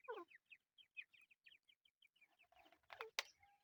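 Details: Chukar partridge chicks peeping in quick bursts of short high downslurred notes. A louder burst of cheeps and a sharp click come near the end.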